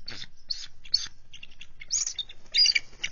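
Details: Bald eagles on a nest on high alert as a mature adult intruder enters their territory and tries to land, February 2023; short bursts of high, harsh chattering notes with gaps between them.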